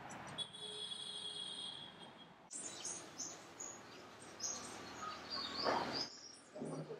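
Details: Bronze Sunbird (Nectarinia kilimensis kilimensis) song in Musanze, Rwanda, in March: a thin, steady high note, then a rapid jumble of sharp, high chirps and twitters over a soft outdoor hiss.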